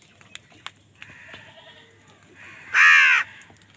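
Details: A crow, angry while fighting wild birds over food, gives one loud, harsh, drawn-out caw near the end. Faint clicks and soft calls come before it.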